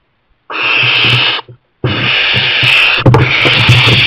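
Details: Young barn owl in a kestrel nest box, with parents bringing in mice, gives two loud rasping hisses, the second long and continuous, over low thumping and knocking sounds.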